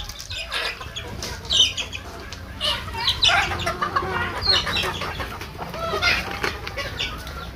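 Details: Local deshi chickens raised on a farm, reaching one kilogram in 85 days; a busy run of high, quick, overlapping calls from several birds, with scattered clicks and knocks in the background.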